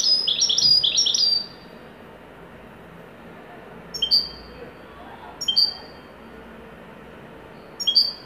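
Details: Moroccan widani goldfinch in joyful song. A brief rush of high, jangling twitters opens, followed by scattered paired notes, a thin lower chip and a clearer higher whistle, at intervals of one to two seconds.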